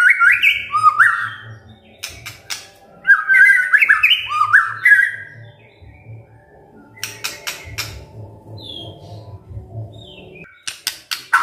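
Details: White-rumped shama singing kretekan and tembakan phrases: slurred, descending whistled notes in quick runs separated by clicks, then a quieter stretch with a soft whistle and more clicks.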